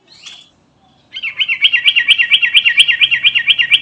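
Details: Sooty-headed bulbul of the garuda type, calling its companions: after a faint opening note, a fast run of bright, bubbly, looping notes repeats about twice a second for nearly three seconds, steady and clear.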